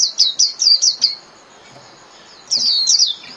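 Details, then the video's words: Japanese white-eye singing 'líu' style for caged-bird training: six or so quick, high, descending chirps in an even series, a silent gap of over a second, then a smeared rush of high warbling. "TIẾNG CHIM KHUYÊN LÍU CỰC CHẤT"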